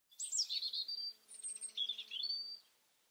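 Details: European robin singing a varied phrase of high, thin whistles and twittering notes, sliding up and down, with a brief pause midway before a second sweet warbled run.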